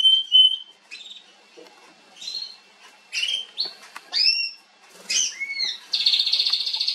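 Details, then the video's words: Female Atlantic canary on 21 January 2022 giving scattered separate whistled notes and upslurs with pauses between, ending in a loud fast buzzy trill. "Kanarengirlitz Canary girl with a very beautiful voice"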